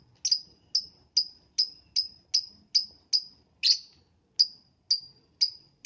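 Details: Lovebird in the morning, used to prompt other lovebirds to sing: a steady run of about thirteen shrill, high chirps, each sharp at the start and fading quickly, spaced roughly half a second apart against quiet.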